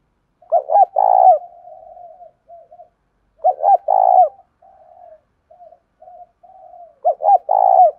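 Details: Spotted dove cooing, the urging and calling kind used to provoke and lure other doves; three loud low phrases about every three seconds, each two quick coos and a drawn-out rolling note, with quieter trailing coos between.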